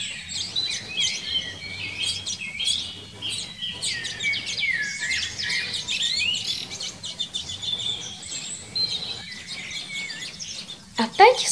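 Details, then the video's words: Common linnet in a Czech garden, spring–summer 2021, with adults feeding young: long run of twittering, scratchy trills and chirps with short pauses, ending in a louder sharp note. "KONOPKA OBECNÁ - sameček, samička, krmení mláďat, zpěv"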